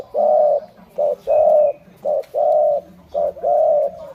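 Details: Spotted dove, a kept bird in Thailand, cooing indoors: a series of hollow, steady coos, short and long notes alternating, about one a second, with no other clear sounds.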